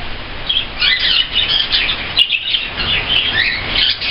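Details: A budgerigar that has become taken with a cockatiel chatters in a steady, busy warble of high chirps and squeaky twitters.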